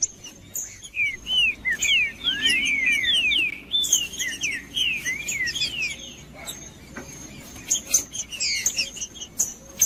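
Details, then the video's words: Green-winged saltator singing, a recording that breeders play to warm up a cold bird before tournaments: clear whistled phrases of sliding, rising and falling notes in rapid runs, with a sustained high thin tone and scattered clicks behind. "ESQUENTAR TRINCA FERRO FRIO COM TRINCA FERRO CANTANDO"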